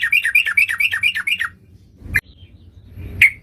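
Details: Sooty-headed bulbul, called trucukan, played as a trapping lure: a rapid chain of descending chirps for about a second and a half, then two isolated sharp notes after a quiet gap.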